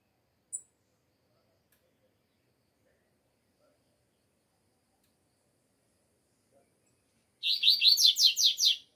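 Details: Double-collared seedeater in still-cold weather giving its alegria song: an isolated thin chip, near silence for several seconds, then a quick, even series of about eight buzzy, downward-sweeping notes.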